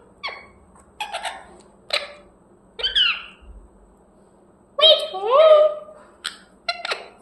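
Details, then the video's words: Captive parrot in a small room giving a run of short chirps and squawks, some sweeping downward, with a longer wavering rising call in the middle and brief sharp notes at the end over a faint hum. "Parrot chirping sounds"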